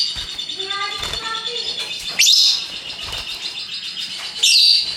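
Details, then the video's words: Ngekek song of a pet lovebird: two loud, harsh, rising high bursts a couple of seconds apart over continuous soft twittering, with some lower harmonic tones heard early on. "Burung Lovebird Rupa Rupa Warnanya, Burung Paruh Bengkok, Bunyi Ngekek Gacor"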